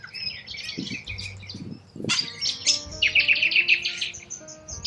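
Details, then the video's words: Wild corella cockatoo flock in Australia, scratchy chattering that swells after a loud screech midway into busy overlapping harsh calls, over faint background music. "WILD Corella Cockatoos"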